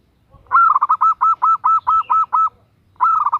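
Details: Female zebra dove calling a male: a rapid string of about ten short, even, staccato cooing notes over two seconds. A pause follows, then a new series starts. The background is quiet.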